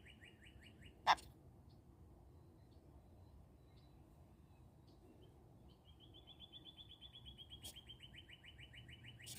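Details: A sun conure chatters at birds outside, giving quick runs of bright, buzzy chirps in a fast, even rhythm.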